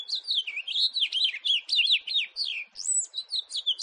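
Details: Continuous bubbling warble from a house finch in 2018, a steady stream of high, sliding, looping notes with no pause.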